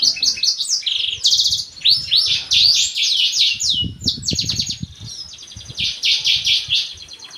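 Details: Black-throated canary singing a loud, fast, varied song of high twittering notes, sliding whistles and buzzy trills in near-continuous bursts, with soft low thumps underneath.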